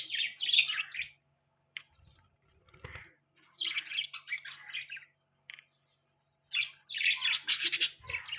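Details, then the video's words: Budgies chirping as they eat, in short bursts of scratchy warbling and chattering squawks separated by gaps of near silence, with a faint low hum behind. "Budgie chirping sound|Budgies parrot beautiful voice|Cute Budgies eating"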